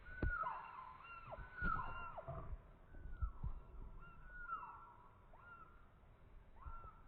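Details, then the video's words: ['Slowed-down calls of a young chicken: a series of stretched, mellow, falling notes at an irregular pace, mixed with low thumps and a constant rumbling background.'] "A Young Chicken Making Strange Sounds In Slow Motion"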